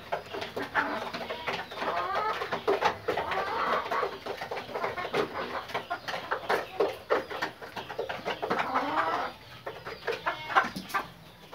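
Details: Pakistani Fayoumi chickens, a laying breed, give continuous overlapping clucks and chattering calls from several birds at once, busy and dense, easing off toward the end.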